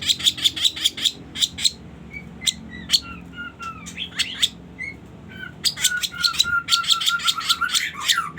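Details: Sooty-headed bulbul used as a trapping lure: fast harsh chips in quick series, mixed with short clear whistled notes and a drawn-out whistled phrase near the end, with faint background hum.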